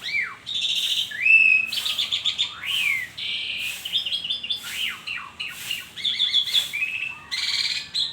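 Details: Asian pied starling singing in the morning, a loud varied medley of whistled slurs, rising and falling notes and harsh buzzy bursts, delivered almost continuously with short pauses.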